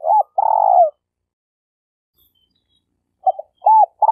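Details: Malaysian spotted dove used as a lure bird for trapping: a hooked short note and a long buzzy coo, a quiet pause, then more clipped arched notes starting again.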